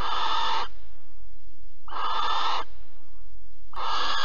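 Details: Barn owl at Alphen on 15 April 2020, during mouse prey delivery and mating: three harsh, raspy hissing bursts, each about half a second, separated by short gaps.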